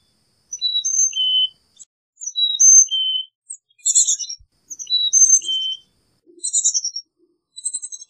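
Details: Carolina chickadee repeating whistled phrases of high and lower notes, mixed with several buzzy, chattering call bursts, across about eight seconds.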